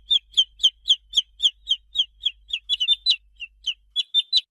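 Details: High, thin chick peeps repeated rapidly, each a short downward-slurred note, the rhythm briefly breaking into overlapping calls from more than one chick before resuming; a faint low hum runs beneath.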